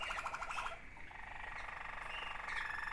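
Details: Two sibling Waterslager canaries singing: rapid rolling trills pulse around the middle register, then smoother bubbling, water-like rolls with a thin whistled line near the end.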